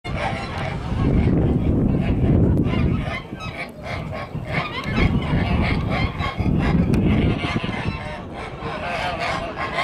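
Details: White Kholmogory gander, two years old, kept on a farm for old breeds, giving loud, harsh, low honks in two long bursts with a short quieter gap between them.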